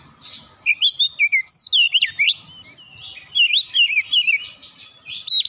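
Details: Oriental magpie-robin with Java sparrow mimicry, two runs of quick bright chirps and twisting whistles separated by a short pause.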